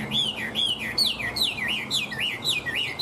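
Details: Chinese hwamei, caged, singing nonstop: loud whistled phrases sliding down in repeated wavy loops, about a dozen notes in quick succession, clear and bright over faint low background hum.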